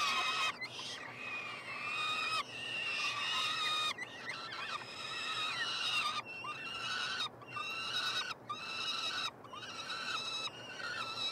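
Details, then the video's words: In a nestbox at the University of Montreal, Quebec, Canada, three peregrine falcon chicks scream while being fed on 21 June 2022: sustained rasping wails broken by brief pauses, varying in length and intensity. "Faucons UdeM en direct / Live Stream - Karmienia " trojaczków ""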